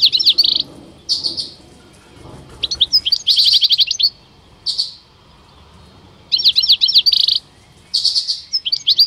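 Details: Two male European goldfinches at a Rumbeke bird fair, 16 October 2021, singing bright, liquid twittering in quick bursts of tinkling notes, each under a second long, broken by short pauses.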